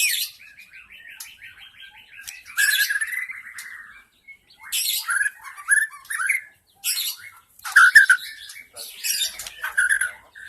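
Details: White-rumped shama lure recording of a wild forest bird: varied phrases mixing a rapid buzzy trill, short whistled notes and harsh bursts, delivered in separate loud bouts with brief pauses between them.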